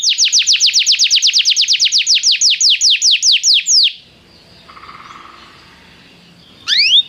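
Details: Canary song used to prompt another canary to sing: a fast series of descending whistled sweeps, repeated about seven per second for four seconds, then quiet and a final upward-rising note pair.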